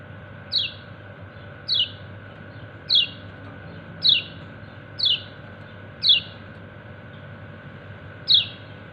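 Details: Kecial kuning, a white-eye, gives a run of seven high, quick descending chirps about a second apart while calling to its companions, with steady hum behind.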